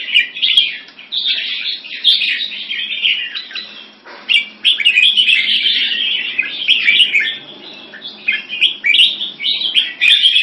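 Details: Red-whiskered bulbul (jambul) singing at a competition in Singapore, the winning bird; dense, fast, warbling phrases of chirpy, rolling notes pour out almost nonstop, with a short lull before the fourth second and faint background sharp clicks.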